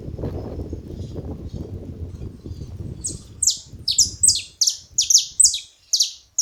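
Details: Saffron finch song beginning after three seconds of low rumbling noise: a run of bright, high descending chirps, steady and repeated about twice a second until the end.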